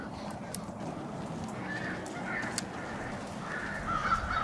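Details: Winter gathering of crows in Brattleboro, Vermont, on Washington Street, 16 February 2021; scattered, fairly faint harsh caws from several birds over a broad hiss of town and traffic noise.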